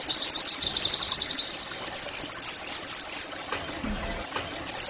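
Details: Oriental white-eye song played as therapy to get caged birds singing: rapid high trills of sharp chirps repeated about four per second, then looser downslurred whistled notes, fading at the end.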